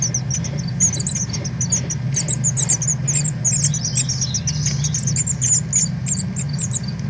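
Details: Northern cardinals at fledging time, as young leave the nest and learn to fly, on 13 August 2020: rapid, sharp, high chip calls, several overlapping almost without pause, over a steady low rumble.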